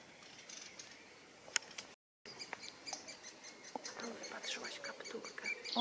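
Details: A Eurasian blackcap sings a rich, fluty warble of quick varied phrases in Drwinka River Park, Kraków, Poland, during a guided bird walk. Other birds chirp and people talk quietly, and a brief gap breaks the sound.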